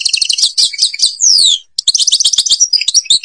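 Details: European goldfinch, Algeria, singing the Babas forest Tibrli song: quick, high rhythmic chirps, a long falling slurred whistle, a brief silence, then renewed bright twittering and trills.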